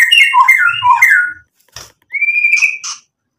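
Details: White-rumped shama song meant to provoke rival birds into answering: rich warbled whistles tumbling up and down, a short pause and a crackly burst, then a long rising clear whistle.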